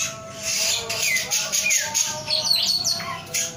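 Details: Song of a male samyong in full voice, a chatter of high scratchy notes, thin whistles and sharp downward slurs running almost without pause, over a faint steady hum.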